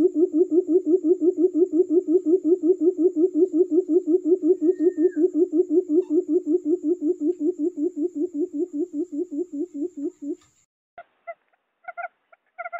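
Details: Forest quail lure call used for trapping: low, hollow pulses repeated steadily, almost three a second, for about ten seconds with a faint steady high tone behind them. Then come a few short, higher chirps.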